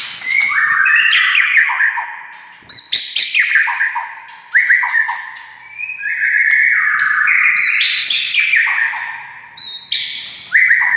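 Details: White-rumped shama singing to stir other shamas into song: fluty, gliding whistles mixed with sharp high chips and short rattles, delivered in loud, varied phrases with short gaps.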